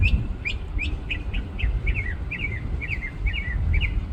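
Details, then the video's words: A small bird sings from the top of a tree in a store parking lot, delivering a run of about a dozen quick, high chirped notes that flick upward and twist, repeated roughly three per second over a steady low rumble. "Bird Singing Its Little Heart Away"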